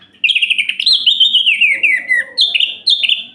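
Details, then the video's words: Orange-headed thrush night song aimed at provoking other males: a continuous flow of quick whistled notes sliding downward, then two higher repeated phrases, over a faint low hum. "Suara Ini Bikin Gerah Anis Merah Lain"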